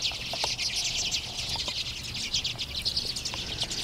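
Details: A large overwintering flock of Common and Hoary Redpolls in a yard in Marathon, Ontario, in March gives a steady stream of overlapping, high, buzzy chattering notes, with a few faint low clicks underneath.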